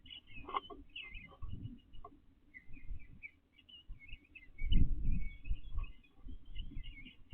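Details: Male eastern bluebird in a backyard during nesting season, 29 April 2025, gathering pine straw from flower beds for a nest; soft, quick warbled phrases repeat throughout over low thumping and rustling.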